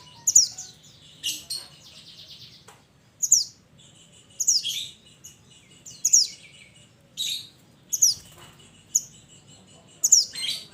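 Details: Mantenan of the mountains calling to its companions: a series of piercing, high, downward-slurred notes, roughly one per second, each followed by a short ringing tail, with a brief buzzy trill early on.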